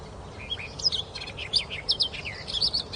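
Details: Birds chirping in quick high-pitched bursts: short twittering notes and rising and falling whistles, clustered and repeated irregularly over a soft background hiss.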